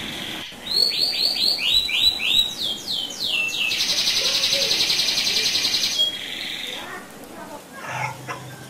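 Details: Canary delivering its rolling song to provoke other canaries: a run of repeated falling whistles, a rapid sweeping series, then a long steady buzzing roll before the singing fades into softer background sounds.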